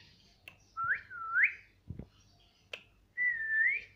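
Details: Pet talking parrot repeating whistled phrases, each a clear rising sweep followed by a flatter tone, with a few sharp clicks and a low thump between them.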